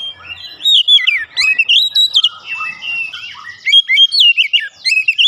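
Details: Oriental magpie-robin, stirred up and singing fast: continuous, varied whistled phrases with rising and falling slurs, rapid chattering notes and brief pauses.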